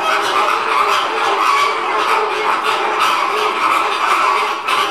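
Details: Many Caribbean (American) flamingos gabble at once while being fed, a steady wall of nasal, goose-like honks and grunts overlapping without pause.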